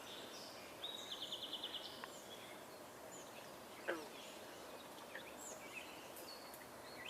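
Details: A Belted Kingfisher gives its quick, dry rattle of about ten rapid high notes lasting a second, over steady outdoor hiss with a sharp knock later.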